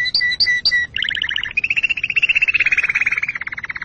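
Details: Pet canary song used for mating preparation and teaching young: three paired ringing notes, then rapid rolling tours that blend into a steady, slightly rising trill.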